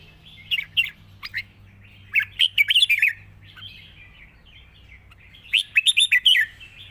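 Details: Caged red-whiskered bulbul singing a long song in wild-style phrasing, mixing song with rik notes: three bursts of bright, warbled, bubbling phrases, the middle and last ones quick runs of five to six notes, with a low steady hum beneath.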